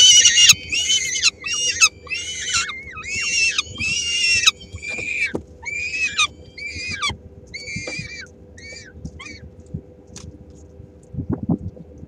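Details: Three-week-old peregrine falcon chicks in Helmond, Netherlands, call as the female brings a small prey item that some grab; a run of harsh screeches fades into thin, drooping whistled cries, then near quiet.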